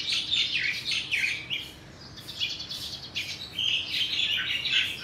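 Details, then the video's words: Crested myna, one of two in the area, mimicking other birds, mostly juvenile yellow-vented bulbuls; dense run of quick chirps and short warbled phrases, some notes rising then dropping, with a brief pause near the middle before the chattering resumes. "A Crested Myna Mimicking Other Birds"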